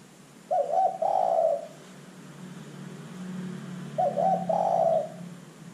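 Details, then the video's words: Vigorously calling spotted dove used to lure other birds into calling: two low cooing phrases about three and a half seconds apart, each a stuttered start then a long smooth note, over a faint low hum. "pancingan terkukur GACOR"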